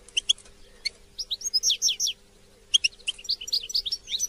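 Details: Short goldfinch song passage for motivating caged goldfinches: separate bright chirps, then quick runs of high, slurred twittering notes in small bursts, with a faint low hum beneath.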